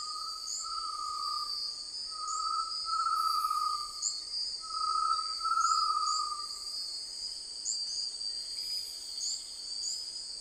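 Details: ['Great tinamou giving a series of four quavering whistled notes, each about a second long and rising slightly in loudness, against continuous high insect chirping and droning.']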